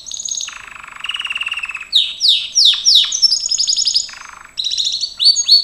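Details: Singing Gloster canary under training: a low buzzy rolling trill, then a string of sharp downward-swept whistles, then rapid high chattering notes, all high-pitched and fast-paced.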